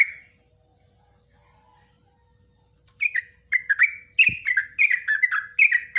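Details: Yellow-vented bulbul, 'ropelan nguklik ngecruk' style for cage-bird training: a single liquid note, a three-second pause, then a fast run of bubbly descending gurgles with a brief knock partway through.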